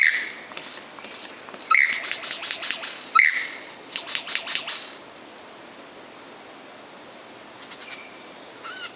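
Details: Lyrebird mimicking song, used in courtship and territory defense: a run of harsh, crackling, broadband bursts with short whistled notes for about five seconds, then near quiet with a faint thin whistle near the end.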